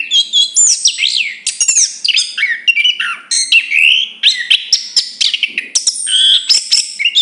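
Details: Long, varied song of a chestnut-capped thrush: rapid high whistles, trills, slurred notes and sharp chips strung together almost without pause for over seven seconds.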